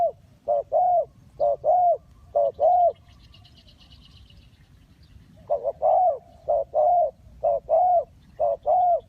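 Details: Dove calling in a bird-trapping setting, clear low hollow coos in paired phrases, a short note followed by a longer one, repeated rhythmically with a brief pause midway and a faint higher chatter behind.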